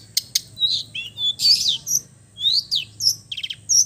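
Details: Long-tailed shrike of East Java type, relaxed chatty song full of mimicked phrases, used as therapy for silent birds; high thin whistles, short slurred notes and buzzy bursts in quick, irregular succession.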